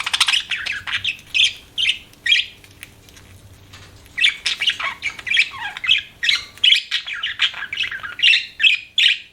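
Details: Budgerigar uttering short squawky chirps in clusters, a quiet pause of about a second and a half, then repeated sharp chirps roughly twice a second.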